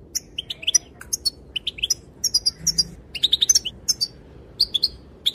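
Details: Female European goldfinch calls, said to set males dancing: scattered sharp, high chirps and tinkling notes, irregularly spaced, some in quick pairs, against a faint low hum.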